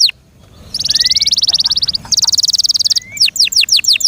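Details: A kept canary swells from quiet into a dense, rolling high trill, pauses briefly, resumes the trill, then ends with quick falling whistled notes.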